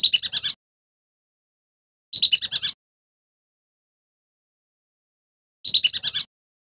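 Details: A male whistling duck, used as a lure call, gives three bursts of rapid, high, clear whistled notes, about six per burst, separated by silent pauses.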